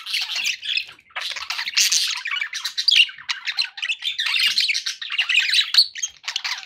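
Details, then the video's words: Chattering budgies kept as pets, a flock of scratchy chirps, squeaks and warbles running almost without pause, loud bursts alternating with short quieter gaps. "9 hours of budgie sounds to keep your pets in happy bird company"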